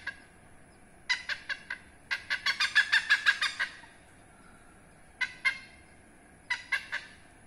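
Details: Rare, protected hornbill heard from behind a house, giving four harsh barks, then a fast cackling run of about eleven nasal notes, followed by brief clusters of two to three raucous notes after a pause.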